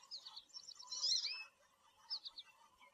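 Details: American goldfinch giving short rapid twittering phrases of high sweet notes, a louder jumbled burst near the middle, then a brief repeated chirp series.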